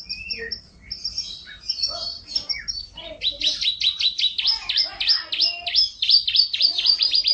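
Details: Canary in long, tight roll style, opening with scattered chirps and short whistles, then breaking into a fast run of repeated down-sweeping notes that continues to the end.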